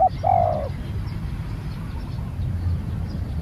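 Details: Spotted dove, a new bird out for training, ends a cooing phrase with one long, slightly descending throaty coo, then quiet apart from a continuous low rumbling background.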